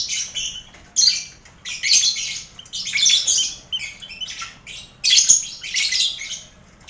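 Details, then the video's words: Caged lovebirds in a busy colony aviary shared with finches and quail, kept for song competitions. Harsh, buzzy squawk bursts come in irregular clusters about once a second, with short pauses between them. "Sound Koloni Lovebird"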